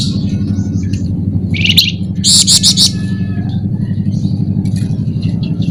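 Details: Flamboyan bird in a masteran song recording, described as gacor and sharp with nyerecet chatter; high buzzy trill, then a quick burst of repeated strident notes, then scattered chips, all over a steady low hum.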